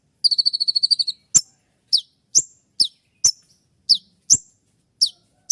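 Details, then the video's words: Konin trotol (kolibri ninja) giving sharp 'shot' song used as a dawn training track for other birds: a rapid buzzy trill of about ten high notes, then sharp descending chips repeated roughly every half second. "Masteran dan Terapi konin trotol dengan suara tembakan yang mudah"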